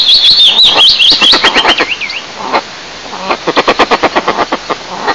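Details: During incubation, a pair of eastern imperial eagles at their nest in Lower Kama National Park, Russia, on 15 May 2024; high songbird warbling gives way to a long, even series of gruff barking notes.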